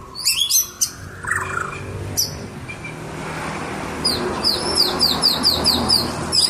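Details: White-rumped shama (murai batu) singing energetically: a few sharp high chirps and a short buzzy phrase, then a fast series of thin, high downslurred notes repeated more than twice a second over a steady background hiss.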